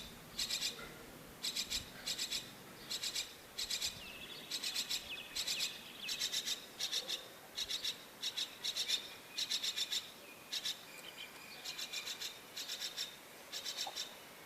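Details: A female myna's small chick waits at a bird-house nest for its mother, giving harsh, raspy, high begging bursts about one per second, steady and insistent, over a faint hiss.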